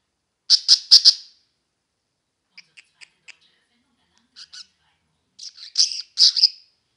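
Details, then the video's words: Budgerigars playing give a fast triple burst of high chirps, then soft ticking clicks and a later cluster of squeaky chirps. "Wellensittiche am Spielen"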